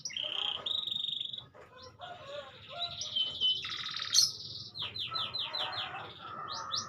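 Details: Canary song, fairly quiet and close to background hiss: varied rolling trills and sustained whistled notes shift in pitch, ending in a run of quick descending sweeps and a few high chips.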